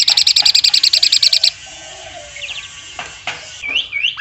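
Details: Asian pied starling in woodpecker mimicry for training contest birds: a quick rattling burst of evenly spaced pulses lasting under two seconds, followed by quieter scattered chirps and upward whistled slurs.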